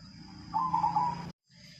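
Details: Long-kept silver zebra dove (perkutut), a caged bird, gives a short burbling, wavering mid-pitched coo lasting under a second, over a low steady hum that cuts off abruptly afterward.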